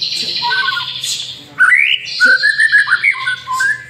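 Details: Lure song of a white-rumped shama: harsh buzzy rasps give way to a bright upslurred whistle and a quick string of clear, warbling notes, over a low background hum.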